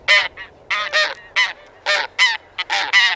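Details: Close, loud honks of taiga bean goose (Anser fabalis): harsh, nasal two- and three-note bursts with strong harmonics, separated by brief pauses, background otherwise quiet.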